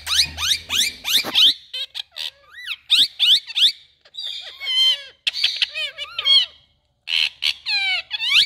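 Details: Parrots calling to each other in India, loud shrill descending squawks in quick runs, twisting whistled notes and warbling chatter.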